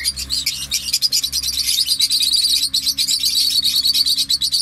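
Parrots chatter in a dense stream of shrill, rapid chirps and squawks, several birds calling over one another with a faint low hum beneath.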